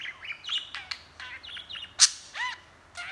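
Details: Pet budgie talking and chattering, recorded handheld: fast run of squeaky, warbling notes, small rising and falling slurs, one sharp loud click-like chirp at two seconds, then curved squeaks.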